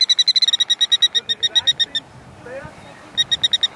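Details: Killdeer calling in quick bursts of sharp, high, even notes repeated several times a second, stopping for over a second with faint lower slurred sounds, then starting again.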